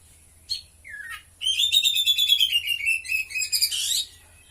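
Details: Captive oriental magpie-robin singing a song filled with imitated cililin phrases: a sharp note and a downslurred whistle, then a fast, sustained, buzzy trill sliding gradually lower, ending in a rough burst. The background is quiet.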